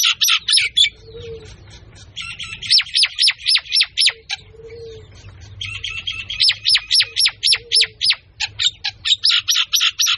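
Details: Myna calling in bursts of fast, repeated, sharp notes, several per second, separated by short pauses in which a soft low coo-like sound is heard; a faint hum runs underneath.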